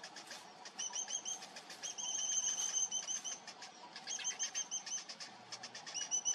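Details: A cinnamon bittern chick being fed by its parent gives rapid, high, thin chittering notes, about three per second, in bursts, with some rustling or wing-flutter.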